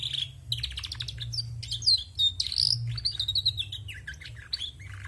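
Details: Female canary singing vigorously, a continuous run of high twittering notes, rapid trills and buzzy phrases with whistled slurs, over a steady low hum.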